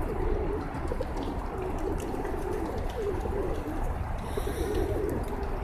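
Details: Many free-living, unowned pigeons in a roadside flock in Oman coo together, their soft low coos overlapping over a steady rumble of background noise.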